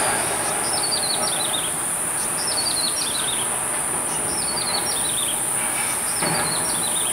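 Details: Grey-headed tailorbird near Badouzi fishing harbour, recorded from a home window with a Sony A7S3 on 29 April: high, thin falling note series repeated in short bursts, over loud steady background noise.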